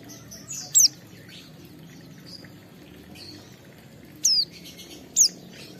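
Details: A vigorously singing, highly agitated Oriental white-eye, played to provoke other white-eyes, gives three loud, very high, thin notes that slide sharply downward, spaced a few seconds apart, with softer high twitters between.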